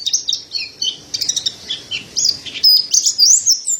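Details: Pleci montanus, the mountain white-eye, singing in a training recording. There are quick high chirps and slurred notes in uneven bursts, ending in a sweeping, rising-and-falling whistled twitter.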